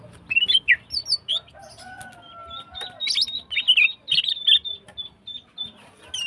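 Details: Female greater green leafbird in breeding condition, singing in the morning: a lively run of varied chirps, quick slurred whistles and short warbled phrases, with a faint steady whistled tone behind the early part.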